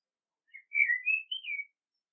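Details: Common blackbird song: a mellow, fluting run of slurred whistles, rising then dipping, flowing as one continuous phrase in quiet surroundings.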